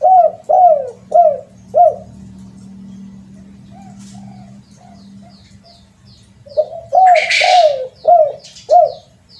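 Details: Spotted dove lure call: clipped, evenly spaced coos, a quieter stretch with a low hum and soft notes, a short noisy burst, then the steady coos return.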